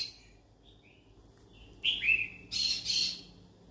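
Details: Yellow-sided conure, a pet parrot, calling out as though seeking company: soft high whistled notes build into a rising-then-falling chirp, followed by two harsh, grating squawks close together.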